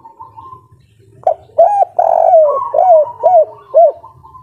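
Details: Vigorous song of a local kuk 3 style spotted dove in breeding condition. A faint thin whistle comes first, then a run of about six hollow coos, one drawn-out note among short arched ones, with a low hum beneath.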